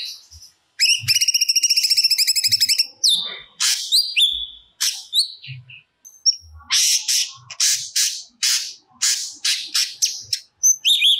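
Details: Grey-cheeked bulbul singing hard, pouring out stored song material: a fast two-second trill, chattering notes, then a steady sequence of loud raspy strokes.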